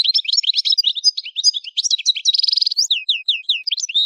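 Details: Algerian goldfinch song from Souk Ahras, Kef El Hammam, Algeria: busy liquid twittering, a buzzy rattling trill, then a run of clear down-slurred notes repeated several times in quick succession.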